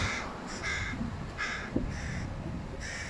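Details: A hooded crow fledgling, one of three being fed fish by their father, begs with five harsh, nasal caws about every half second over low rumble; another fledgling begged loudly from a tree near the mother.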